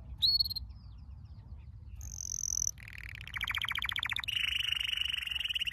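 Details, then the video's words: Canary training song: a short high whistle, a sustained pure tone, then buzzy rapid trills and a long dense rattling roll. "Your canary will NEVER STOP SINGING With this training song"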